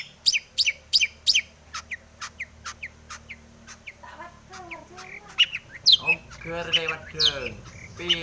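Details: Long-tailed shrike singing a lively song rich in fill phrases, played as a lure to make a reluctant shrike sing. A fast run of crisp, high, clipped notes gives way to harsh, buzzy, rasping chatter.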